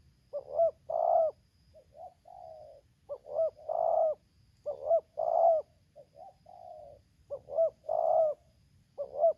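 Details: Spotted dove from Lampung, a decoy bird set against a wild bird while trapping, singing the 'tarik akar selang nguku' style: low hollow coos, short clipped notes followed by longer rolling coos, repeated in phrases about every two seconds with quiet pauses.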